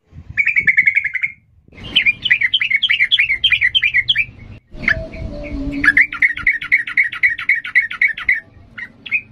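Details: Sooty-headed bulbul in emotional ngalas singing, a fast song used to train young birds. A buzzy trill, then a long run of rapid twisting chatter, a short pause with background rumble and a low tone, and more quick rolling phrases.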